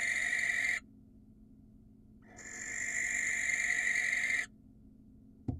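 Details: Attracting a female, a wild barn owl in Israel gives two long grating screeches, the second about two seconds long, with silence between and a thud at the end.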